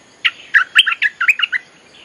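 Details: Bulbul song used as a lure to call wild birds: a quick run of about eight bright, chattering notes, mid-to-high pitched with some sharp upward flicks, delivered in just over a second against a quiet background.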